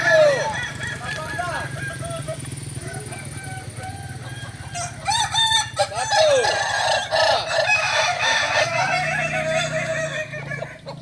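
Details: Several Kokok Balenggek roosters crow at a group practice in Ampang Kualo, Kota Solok. Looping, stepped syllables rise and fall over a buzzing low hum, with crows overlapping throughout.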